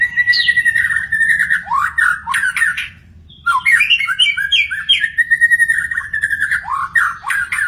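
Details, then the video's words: Magpie-robin in the wild in long, loud song: sustained wavering whistles and harsh squawky slurs, a silent gap near the middle, then a busy stream of chattering and whistled notes. "burung murai di alam liar"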